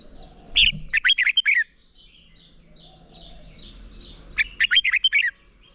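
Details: Red-whiskered bulbul in morning competition singing, used to train a young bird's voice: two bursts of fast, rich, warbled notes, each about a second long, separated by a quiet pause with faint twittering.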